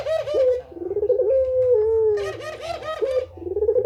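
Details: Puter pelung dove calling persistently, recorded as training audio for caged doves. Rolling low coos lead into a long, smooth, slowly falling coo, then more stuttering coo notes follow.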